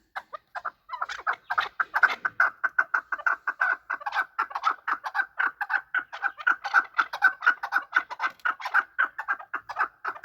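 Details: Chukar partridge calling while fighting: a long, steady series of clucking chuck notes, repeated about twice a second, building from a few scattered notes into a rhythmic run.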